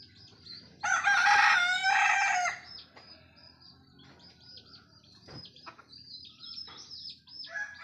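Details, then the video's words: Rooster's dawn crow, taken as a sign that it is already morning. A powerful, rasping crow of about two seconds comes early and falls in pitch at the end. Afterwards, quick high-pitched chirps repeat steadily. "SUARA AYAM BERKOKOK TANDA HARI SUDAH PAGI"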